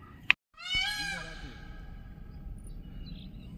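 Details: Indian peafowl near Gorumara forest by tea gardens, heard unseen among many peafowl calling from hidden trees: one loud, nasal, cat-like wail of about a second, falling away slowly after a sharp click, with a low outdoor rumble.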